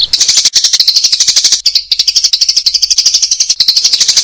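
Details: Adult sparrows, in lure audio used to trap adults this season: loud, rapid chatter of clipped high chirps, about three per second, with one short gap midway.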